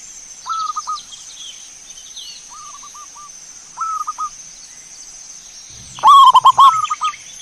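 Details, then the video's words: Zebra dove singing, used as a lure to make others sing. Three quiet, distant phrases of short cooing notes are followed by a loud close burst of rapid staccato notes. A persistent high hiss is heard throughout. "PANCINGAN SUARA BURUNG PERKUTUT Langsung bunyi tanpa nanti"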